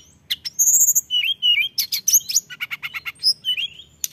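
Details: Mountain tailorbird delivering a fast, mixed song of sharp high chips, thin sustained whistles and a rapid stuttering series of notes.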